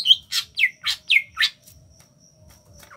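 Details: Five quick, descending whistled notes come from a small Kalimantan greater green leafbird singing ngentrok style, each sweeping down sharply. A short quiet stretch follows before another note begins.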